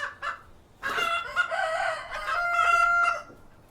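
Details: Cockerel with hens on a farm: a few short notes, then a long, strained, wavering crow-like call that levels into a steady, held tone before fading.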